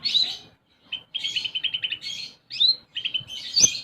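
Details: Sunbird in full song with sparrow-like material: rasping high chirps broken up by quick, rattling trill runs, then a brief gap, more chattering trills and a final piercing high note.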